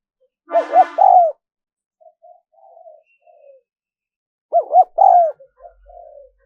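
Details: Spotted dove cooing to attract wild doves: two loud phrases, each two quick hooked notes then a longer falling coo, with faint low murmurs between them and a brief rustling sound at the start.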